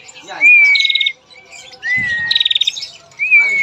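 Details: A female Prinia gives a long call used to lure males into singing: a high, drawn-out whistle breaks into a fast, buzzy trill of about eight notes, heard twice, with a faint low rumble between phrases.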